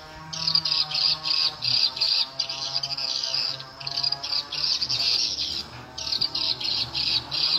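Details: Edible-nest swiftlet lure sound, SP Tripel Queen, played to attract the birds: loud bursts of shrill, buzzy twittering, each about half a second, repeated with short gaps.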